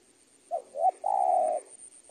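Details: A spotted dove used as tutor audio for training birds gives soft low coos, two short notes and then a long, steady, sustained coo, with a faint high constant tone throughout.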